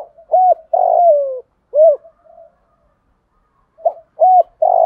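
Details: Stirring coos from a spotted dove for decoy practice, where two hoots and a long falling coo are followed by a lone hoot and murmur, then a new phrase begins.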